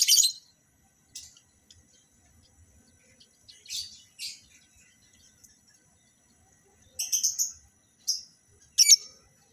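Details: Breeding lovebirds being paired for mating: one loud shrill squawk opens, followed by sparse sharp chirps, then a quick cluster of three high squeaks and two final piercing notes, with quiet gaps between.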